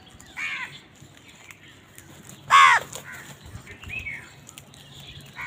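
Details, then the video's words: Crows in a fight over food: one loud, coarse caw stands out among fainter scattered calls and quiet background noise. "কাকের ডাক Crows fight for food Crow Sound"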